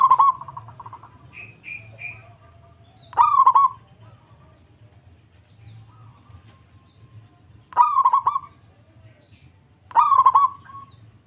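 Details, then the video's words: Local zebra dove singing actively in reply: four stuttering coo phrases spaced irregularly, each a tight cluster of rapid notes; short high chirps appear early and a low hum continues throughout. "PERKUTUT LANGSUNG NYAHUT PERKUTUT LOKAL GACOR DOR DOR DOR"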